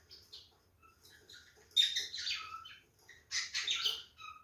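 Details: Male cockatiel showing mating behaviour gives two loud bursts of harsh, chattering whistled notes after quieter scattered chirps, with a silent gap between the bursts.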